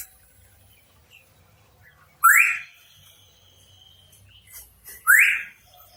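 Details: Hooded pitohui, known locally as cucak rawa papua, giving two loud, clear upslurred whistles about three seconds apart, with faint soft chirps between them and a low background hum.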